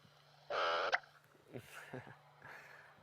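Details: A recorded black-bellied bustard call is played through a small speaker on a sunset safari drive at Djuma, Kruger, South Africa, 22 April 2016: a half-second nasal humming note ending in a champagne-cork-like pop, then quiet human voices.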